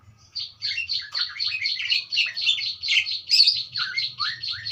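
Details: Budgerigar song: a continuous fast chatter of buzzy, warbling notes and quick downward slurs, steady and busy, over a faint low hum.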